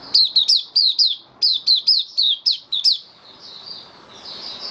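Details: Caged white-eye (mata puteh) singing on 18 May 2022 after regular deworming on health supplements: a rapid run of high, sharp chirps with quick downward slurs, two bursts, then softer warbling notes fading at the end.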